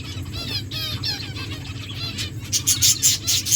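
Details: Finches in an aviary chirping: overlapping high, rapid twittering notes and short rising-falling chirps from several birds, with sharper bright calls near the end over a steady low hum.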